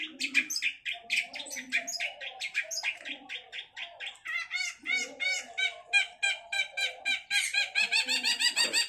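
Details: Long-tailed shrike singing vigorously: a fast, varied chatter of short repeated high notes, some buzzy, others clear and bell-like, around a few notes per second, with a low murmuring sound underneath.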